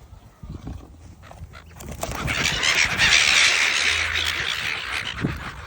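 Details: Seagull calling at Bare Island in La Perouse, Sydney: a drawn-out, grating squeal of about three seconds, loud and high-pitched, over low rumbling wind and surf-like noise.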